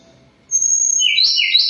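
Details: Sweet whistled song of a moulting hill blue flycatcher: sustained high pure tones break into a quick rich warble of alternating pitches, loud against a quiet background.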